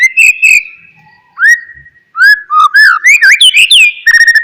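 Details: Shama song used to stimulate an idle bird to sing again: steady whistles, rising slurs and a rich burst of warbled, fluty notes ending in quick repeated chips.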